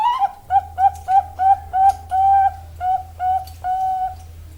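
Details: A female zebra dove of the Bangkok perkutut type delivers a fast run of about nine short, ringing coos that lengthen toward the end, over a faint low hum.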